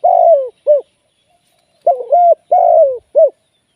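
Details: Spotted dove kept as a live decoy for trapping, giving a clean phrase of mellow coos: two sustained, slightly falling notes followed by a short clipped coo, then a quicker, similar phrase after a pause.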